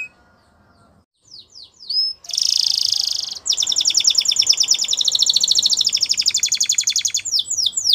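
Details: Spanish Timbrado canary training song: scattered high notes, then a harsh buzzy burst and a long rapid metallic trill that ends in falling whistled sweeps, over faint background hiss.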